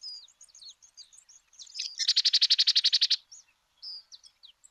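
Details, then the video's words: Sedge Wren (ratona aperdizada), one of Argentina's common birds, gives a dry, buzzy trill of about a dozen rapid notes lasting a second, framed by thin, high chips and short twittered notes. "Ratona aperdizada"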